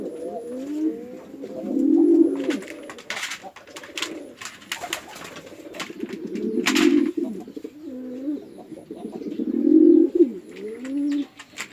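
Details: Pigeons from a house farm in a Chittagong District village, Bangladesh, male and female in a fight: repeated low rolling coos rising and falling, three louder swells, with wing claps and bumps.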